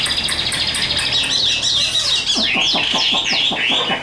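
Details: Chinese hwamei, a newly acquired caged bird, singing loudly indoors; fast repeated high notes, then a run of sweeping downward slurred whistles in quick succession.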